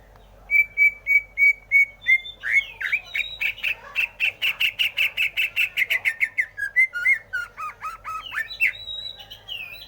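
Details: Greater green leafbird song: a run of steady whistled notes near the start, then a fast series of buzzy, rapidly repeated chirps, ending in varied sweeping whistles and slurred phrases.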